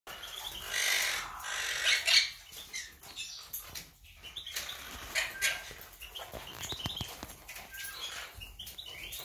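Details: Monk parakeets recorded on 8 September 2020. Several birds give dense, overlapping harsh screeches and chattering notes, loudest near the start, with scattered clicks and rustling throughout.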